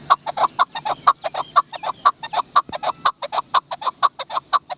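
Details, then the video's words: Dasi chakor, the Chukar partridge, delivering evenly paced sharp chuk notes in a continuous run, roughly two per second, each note a clipped, clucking burst with bright overtones. "Amazing sound of Dasi chakor"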